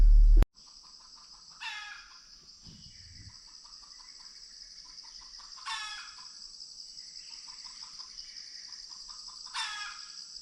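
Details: In tiger territory in India, a junglefowl rooster calls repeatedly from one spot, possibly an alarm call signalling a snake or tiger nearby. It gives three harsh, rattling bursts about four seconds apart over a steady high insect hum.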